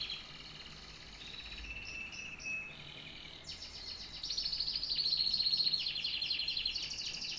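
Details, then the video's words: Canary starting with soft quiet trills, then bursting into a loud, fast, buzzy trill of rapidly repeated notes with sweeping chirps. "The best tweets of a canary bird"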